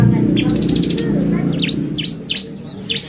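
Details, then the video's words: Bar-winged prinia song played as a lure to agitate other birds: a brief buzzy trill, then high V-shaped swooping whistles, against steady low background noise. "PANCINGAN CIBLEK GACOR bikin burung ciblek EMOSI !!"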